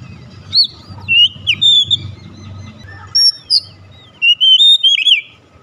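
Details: Oriental magpie-robin song played to provoke a kept household bird into singing: scattered sharp whistled notes and short warbled phrases separated by pauses, over a faint low background hum.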